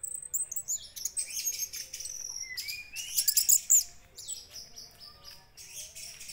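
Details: An Orange-headed thrush, used as a lure recording to provoke other thrushes into singing, pours out a fast, varied song of high sweet whistles, twitters and trills with quick shifting phrases and no pauses, over a quiet background.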